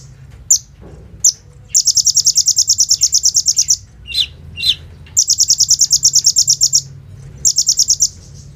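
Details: Sunbird known locally as kolibri ninja, in full song with bren and rambatan fill-ins, a lure for training other birds, phone-recorded: short sharp high notes, then three long rapid buzzy trills separated by a pair of lower downslurred chips.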